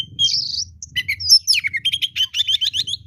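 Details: Oriental magpie-robin, fighter bird in full song: a buzzy opening phrase, then rapid repeated sharp whistled notes in a steady rhythm, with a low continuous hum beneath.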